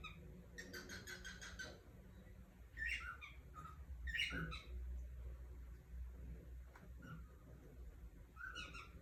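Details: Cockatiel calling in scattered bursts of rapid, stacked chirps and short squawky notes with pauses between, set against a constant low rumbling background hum.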